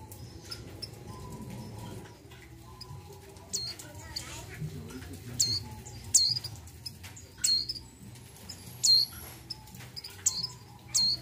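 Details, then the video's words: Mountain white-eye female in breeding condition calling for the male; after a quiet start, a series of high, thin, down-slurred notes comes every second or so, over low background hum. "PLECI MONTANUS MONTY BETINA BIRAHI MEMANGGIL JANTAN"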